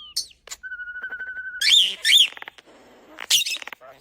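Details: A starling copying human sounds gives a level whistle broken into pulses, then loud harsh chattering bursts and rapid clicking rattles, mixing whistled and noisy notes.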